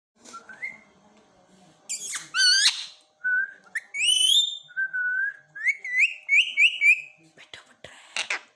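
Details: A parrot talking: short whistled syllables and wavering, rising-falling notes in quick bursts, some high trilled sweeps, with brief gaps between phrases and a few clicks near the end, in a quiet indoor setting.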